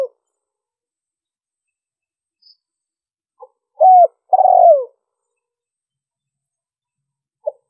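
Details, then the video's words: Spotted dove used as a lure for wild doves: one full phrase of a quick soft note, a clean falling coo and a longer rough coo sliding down, with faint single notes before and after. "Tiếng chim cu gáy mp3 liêu ròng kích bổi hiệu quả"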